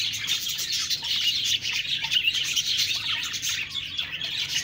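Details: Steady, even chorus of budgerigar chirps and warbled twitters, many birds calling at once with no pauses.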